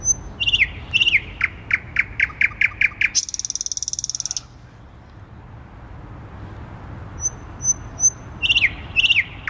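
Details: Thrush nightingale in full nocturnal song at about half past midnight, 12 May 2020, on the square by Warsaw's Palace of Culture and Science, undisturbed in a dense tree just above a listener. Rising whistles and quick clicking notes, a buzzy high rattle, a pause, then renewed whistled phrases.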